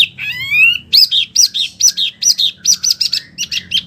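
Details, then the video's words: Wambi song chosen as a training recording for oriental magpie-robins and other birds: a rising whistled series of stacked tones, then a rapid run of short bright chirps repeated about twice per second. "SUARA BURUNG WAMBI PILIHAN SANGAT BAGUS BUAT MASTERAN BURUNG KACER,DAN LAINYA"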